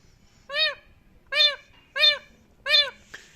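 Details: A pet Indian ringneck (rose-ringed) parakeet imitates a cat, giving four rich, arched meow-like calls that each rise then fall, about one every 0.7 seconds, after being told to be quiet. A soft click follows at the end.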